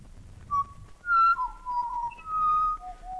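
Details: Pied butcherbird, an Australian bird, recording played back in a lecture room: clear, flute-like whistled notes, some held and some sliding down, in a slow unhurried phrase, with faint background hum.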